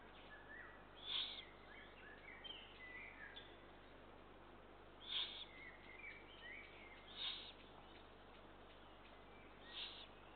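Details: Eurasian eagle-owl young calling for food during feeding on 2 June 2023: four hoarse, breathy screeches spaced irregularly, mixed with small twittering chirps.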